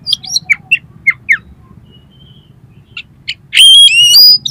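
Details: Kacer (Oriental magpie-robin) song used to prompt another bird to sing and fan its tail: quick downward-slurred chirps, a brief pause, then a loud, complex outburst of layered whistles.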